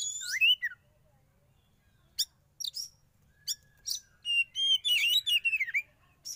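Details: Oriental magpie-robin, a young bird taken from the wild and kept for sauna therapy, opens with a curling whistle, then spaced sharp ticks that build into a fast, varied chattering warble.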